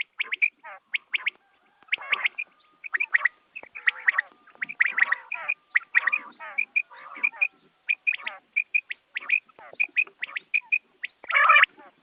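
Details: Dawn quail calls used in hunting, a long busy mix of bright chirps, scratchy rattles and clicks from what sounds like several birds, closing with a loud harsh burst.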